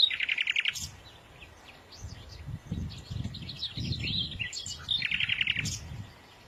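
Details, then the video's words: Small birds singing: a fast buzzy trill opens, followed by scattered high chirps and twitters, then another rapid trill, with low rumbling noise underneath. "تغريد العصافير"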